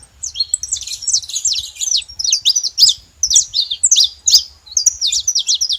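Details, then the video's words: Busy stream of bright, twittering chirps from saffron finch, notes bunched in short irregular groups with little silence between, faint low noise beneath. "Canário da terra fazendo barulho"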